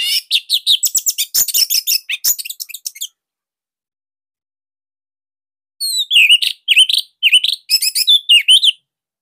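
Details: Orange-headed thrush song from Bali, described as unique, tight and loud, kept as training material for other thrushes: dense bursts of rapid, high twittering and slurred notes, then a pause, then further rising-and-falling chattering phrases.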